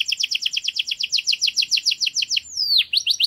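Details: Canary singing in a garden: a fast train of bright, chirping notes repeated about twice per second-plus, then a long downward-sweeping whistle and renewed quick high trills.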